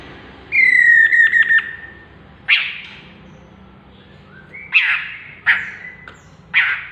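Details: Chestnut-capped laughingthrush (Pterorhinus mitratus) call: a clear, level whistled note, then four harsh, scratchy bursts about a second apart, over a faint low hum.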